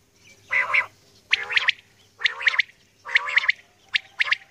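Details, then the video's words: Female common quail calling in the early morning: rough, harmonic three-part notes repeated about once a second over a faint steady hum. "Batair Ki Awaz | Aj Suba ki Recording | Common Quail Calling | Female Quail Calling | Maadi Batair"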